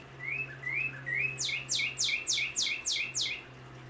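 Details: A male northern cardinal singing in a backyard sings three rising whistles, then a quick run of about seven steep down-slurred notes, each ending in a short upturn, over a low steady hum.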